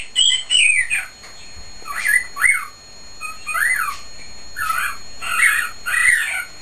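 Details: Male cockatiel in a cage whistling loudly. A high descending note opens a series of looping whistles that rise and fall, some paired, with a few rougher notes mixed in.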